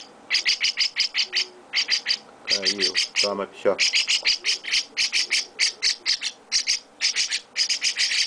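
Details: Baby chestnut-cheeked starlings with their owner at feeding time: rapid trains of rasping, broadband chirps in clustered bursts, nearly continuous, broken by a moment of soft Portuguese talk.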